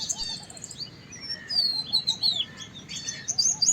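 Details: Large pied wagtail, the white-browed wagtail, giving a long, bright, descending warbled whistle followed by quick high chirping notes, over a soft repeated low note from another bird.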